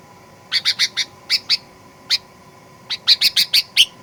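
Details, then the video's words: Sooty-headed bulbul giving an excited, aggressive chirping sequence used to provoke other birds. Quick bright chirps come in groups of three or four, one isolated note, then a rapid run of six, over a steady faint hum. "Kicauan Kutilang Pikat Gacor Fighter"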